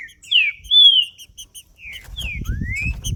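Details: Green-winged saltator male singing in the macheando style, played to warm up another male: loud whistled slurs, first falling then rising, followed by short repeated high notes and a long rising whistle over low background rumble.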